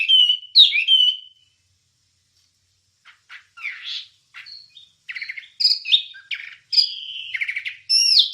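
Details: Wambie singing on a recording used to train songbirds: a loud slurred whistle, a second-long pause, then scattered chirps building into bright varied whistled phrases, with nothing else heard.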